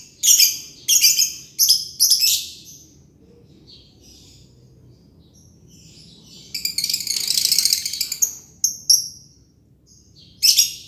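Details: Green lovebird giving its long ngekek: four sharp, harsh bursts, a quiet stretch, then a sustained rattling trill of nearly two seconds and a few more shrill chirps.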